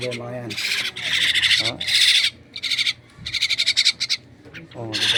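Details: Loud, grating, pulsed calls from a pet myna at feeding time, several strong bursts with a rapid stuttering series near the end, and faint low background sounds.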